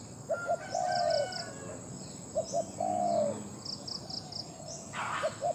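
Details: Two full calls from a captive decoy Spotted Dove in Thailand, valued for its large voice. Each is a pair of clipped notes and then a long smooth coo, plus the start of a third. Soft high chirping repeats in the background.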